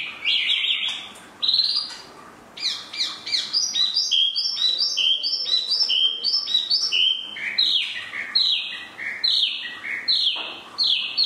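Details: Spot-throated babbler, known as tieu mi, delivering a loud rhythmic run of ringing whistled notes, each sharply attacked, repeated in steady sequence with short gaps between bursts.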